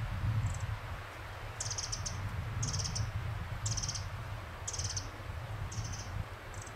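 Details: Pacific wren on the Fox Hollow Ridgeline Trail in Oregon, giving short, high, buzzy double notes repeated about once a second over low rumbling background noise.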